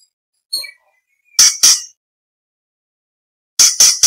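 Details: Orange-bellied leafbird recorded as competition training material for white-rumped shama, green leafbird and magpie-robin: a faint high chirp, then a pair of sharp, explosive bursts, a pause, and three more harsh bursts in quick succession.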